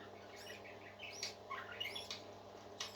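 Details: Soft parakeet twittering heard at a distance: thin upward- and downward-sliding whistles and small chirps, with faint clicks and a steady low hum behind them.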